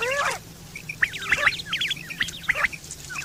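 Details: Quail calling, recorded September 2023 and described as a sound for hunting and mating: short clipped three-note whistles near one pitch, given in quick groups, with a harsher nasal note at the start and scattered chatter.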